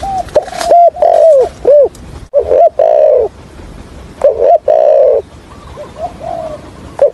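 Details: Spotted dove decoy for trapping wild doves, giving a stuttering coo in 'thổ' voice: loud bursts of hooked notes and long falling coos, then quieter mellow coos, recorded close.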